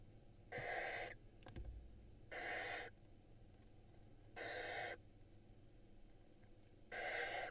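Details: Barn owl nestlings at a nest camera in Israel, lined up and being fed by their mother; from five eggs laid from April 2022. Harsh broadband hissing screeches, each about half a second, four in sequence at roughly two-second gaps, with a steady low hum.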